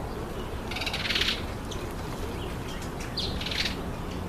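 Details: A red-winged starling eating an apple gives two harsh, buzzy, high calls about two and a half seconds apart, over a steady low rumble of background noise.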